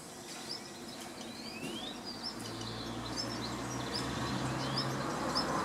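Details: A female common redstart waits in front of the nest with a butterfly in her beak, giving soft, rising whistled notes in quick succession with her beak closed to alert her chicks; a low engine hum drones underneath.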